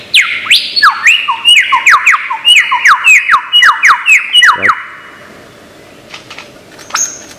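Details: Lyrebird, a bird noted for mimicry, giving a loud run of clear whistled notes that sweep sharply downward. They come in quick succession for about four seconds, then give way to quiet with a few faint distant chirps.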